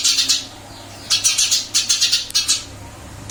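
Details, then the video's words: Caged Eurasian tree sparrow, recently moved to a new cage, still singing actively: short harsh chirps in quick clusters, a pair at the start, then a lively run of about ten after a brief pause, with a low steady hum beneath. "Burung gereja pindah sangkar Alhamdulillah tetap gacor"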